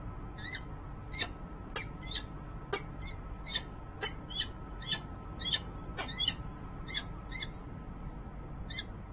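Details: Resident female peregrine falcon at a nest ledge on the Rachel Carson building, Harrisburg, Pennsylvania, on January 19, 2013, picked up by a nest camera. She gives harsh, ringing notes about twice a second over a steady electrical hum.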